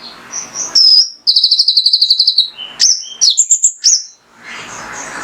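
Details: Kolibri ninja, a male in full song, used as a lure to stimulate other birds to sing: very high, thin whistled notes, a rapid trill of repeated sharp chips, then quick rising and falling squeaky phrases.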